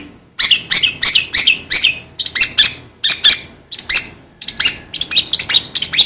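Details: Long-tailed shrike calling in harsh, high, rasping notes grouped in short bursts of two to four, repeated with brief gaps through the recording.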